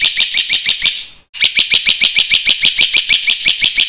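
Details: Black-winged myna song used to get silent mynas singing: loud, harsh, buzzy notes repeated about three times a second in a steady rhythm, with a brief pause near the start.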